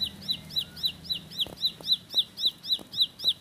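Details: Bar-winged prinia, known locally as ciblek sawah or ciblek pari, in rapid 'roll speed' song: a fast, even series of high, sharply down-slurred whistled notes, about four per second, with faint low knocks beneath.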